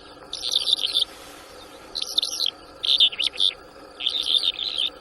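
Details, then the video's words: A freshly trapped Bimaculated Lark in Shamani, Lakki Marwat, on 6 March 2024 utters separated bursts of dry, high chattering and warbled notes, each lasting under a second, with a soft constant hum behind. "New trapped Bimaculated Lark bird"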